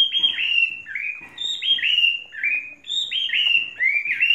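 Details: Three-season tame Chinese hwamei without faults repeats loud, fluty slurred whistles, each phrase dipping then levelling, delivered in a steady, vigorous stream.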